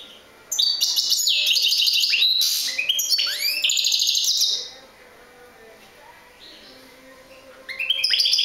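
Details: European goldfinch singing a fast, tinkling twitter of bright trills, liquid slurred notes and buzzy rising phrases for about four seconds. A quiet gap follows, then the song starts again near the end.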